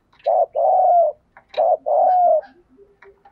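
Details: Cooing of a spotted dove used as a decoy to lure wild doves: two deep phrases, each a brief note then a drawn-out purring coo, with faint chirps and soft ticks between them.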